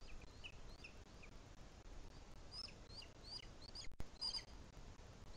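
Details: Booted Eagle feeding its chick at a nest camera, Sierra de Guadarrama National Park, Spain, 2021: scattered thin chirps, growing denser and louder toward the end, with constant low rumble beneath.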